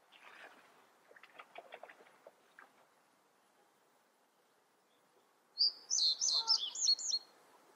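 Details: Common reed bunting singing: after soft, scattered lower chirps early on and a pause, a loud high phrase of about seven short, sharp, slurred notes runs quickly for roughly one and a half seconds.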